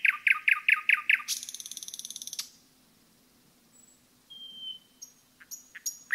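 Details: Nightingale song recorded in a forest: six loud rhythmic chopping notes in quick succession, then a buzzy metallic trill, a pause, and a long pure whistle with high flicks.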